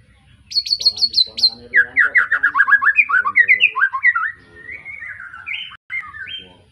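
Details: Young white-rumped shama just after moulting, caged, from an Arko Tangerang bloodline in Pemalang: five high, sharp repeated notes, then a long rapid run of clear descending whistles easing into softer warbled phrases.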